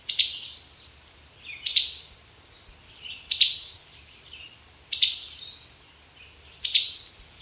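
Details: A male Summer Tanager gives sharp, dry introductory chip notes, about one every one and a half seconds, with a faint, softer rustling sound between them.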